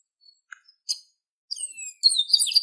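A chestnut-capped blackbird gives a few high clicks and a short note, then drawn-out, slightly descending whistles that end in a loud, scratchy, buzzy warble.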